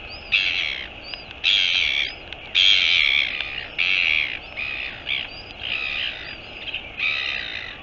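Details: Northern royal albatross (Diomedea sanfordi), dated 04 02 2022, giving harsh, raspy call bursts one after another about every second.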